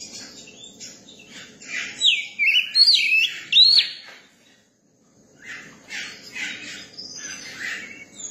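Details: Newly caught Oriental magpie-robin kept in a cage and getting used to people sings a run of swooping, looping whistles, pauses briefly, then continues with buzzy, scratchy chatter.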